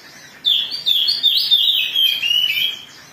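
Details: Agitated Oriental magpie-robin (kacer) singing as a lure to provoke singing: a loud whistled warbling phrase of rapid, high notes that slides and wavers, lasting under three seconds over a quiet background.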